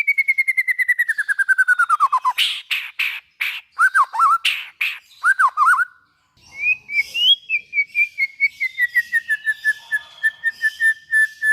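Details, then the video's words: White-rumped shama singing to set off other shamas: a long rapid series of repeated notes sliding downward, harsh rasping bursts with looping whistles, then another quick falling series. "suara burung murai batu buat merangsang bunyi murai batu"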